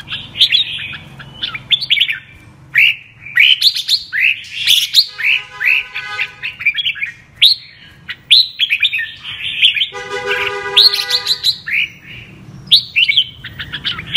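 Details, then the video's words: Red-whiskered bulbul, a 'mơ' bird, in double-voice 'giọng kép' song: a long run of rising whistled phrases and chirps, interrupted twice by a nasal harmonic buzz. "Con Chào Mào MƠ cực đẹp, HÓT giọng KÉP Cực đã"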